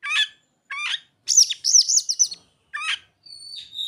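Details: Oriental magpie-robin song filled with mimicked ciblek and sogon phrases: short bursts of varied, high chirps and quick trills, then a lively run of rapid looping whistles, more chirped bursts, and a thin sustained high whistle at the end.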